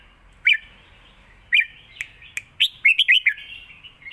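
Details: A caged red-whiskered bulbul in a singing contest delivers southern Thai master-style song: isolated bright whistled notes, then a fast run of five or six bouncing, slurred whistles near the end.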